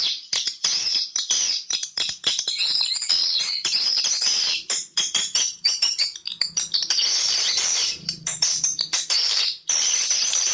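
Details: High, chattering swiftlet twitters used as a calling sound for swiftlet houses, packed densely with brief pauses, and with a faint low hum in the background.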